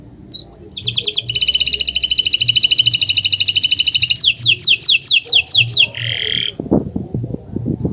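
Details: Canary of the Kenari Nusantara type singing on a master recording used to coax silent canaries: a short whistle leads into a long, fast, rattling trill, then slower repeated slurred notes, a nasal buzz and a few low clicks.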